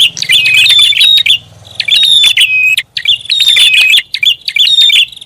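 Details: Prinia lure call in a busy, noisy style: piercing chirps and rattling twitters in clustered phrases, with a steady low drone in the background.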